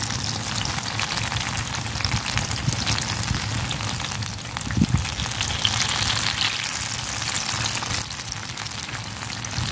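Steady sizzling, rain-like hiss fills the recording, with no clear animal voice heard.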